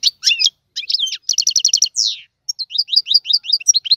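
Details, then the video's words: Goldfinch in tiwawati-style song: short twittering bursts, a quick series of even ringing chirps, a downward slurred whistle, then a string of rising chip notes delivered briskly. "تغريد الحسون طيواواطي"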